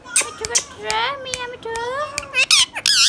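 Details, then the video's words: Indoor hand-tame green Indian ringneck parakeet talking: low, drawn-out voice-like syllables that rise and fall, broken by sharp clicks, then loud shrill harmonic squawks at the end. "Ringneck parrot compilation | Parrot natural sounds | Green Ringneck Parrot sounds"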